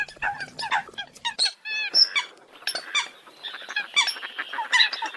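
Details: Eurasian coots chattering with squeaky, nasal notes, including a short run of clear tonal whistles, followed by a denser overlapping babble of squeaks.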